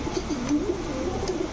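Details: Domestic pigeons, racer, Giribaz and Sirazi breeds, kept by a pigeon seller in Rupganj, Narayanganj, Bangladesh; low, soft cooing notes repeated quickly in a wavering run beneath a strong broad hiss.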